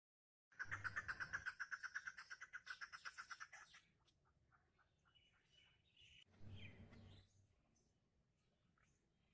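A chukar gives a fast run of harsh, clucking chuk notes, about five a second, that slow and fade over three seconds; a shorter rough burst follows.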